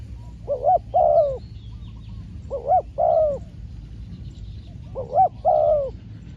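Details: Spotted dove, a trained decoy bird taken out for trapping practice, giving soft low two-part cooing phrases: a short coo then a longer rolling coo, repeated three times roughly every two seconds over a faint steady background hiss.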